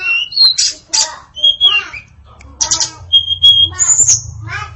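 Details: Varied song from a female hill blue flycatcher (tledekan), full of fill-in phrases: scratchy chirps and slurred notes, a steady level whistle held for half a second, then a high buzzy note, over low background rumble.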